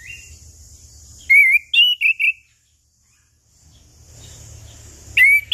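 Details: Lure song of a chestnut-capped thrush, 'ngeplong' style for morning, noon and evening, to spur silent birds: a cluster of four bright whistled notes, a pause with hiss, then a fresh rising whistle.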